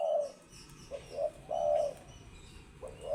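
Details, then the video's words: Low, mellow coos from a spotted dove: a longer drawn-out coo between shorter soft notes, over quiet background hiss. "Tekukur Istimewa"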